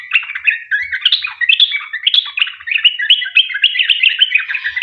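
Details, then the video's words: Vigorous long 'ropel' song of a sooty-headed bulbul, used to prompt other bulbuls to join in. A continuous, dense run of quick chirpy and warbling notes fills the whole stretch without a break. "Trucuk gacor ROPEL PANJANG buat pancingan trucukan agar bunyi"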